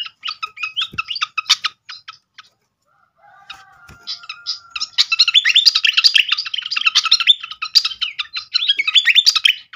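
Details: Srikatan flycatcher song used as a lure: crisp clipped chips for two seconds, a near-silent break with a faint drawn-out whistle, then a long, busy stream of rapid chattering and twittered notes.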